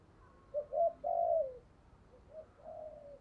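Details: Spotted dove giving a thổ-style call, good for decoy use: two quick coos, then a long drawn coo, then quieter trailing notes, low and mellow against faint hiss.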